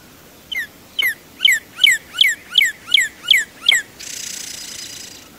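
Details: Northern Cardinal singing eight clear, downslurred whistles at about three per second, then closing with the soft, buzzy purr or churr that sometimes ends the song and is much softer than the whistled notes.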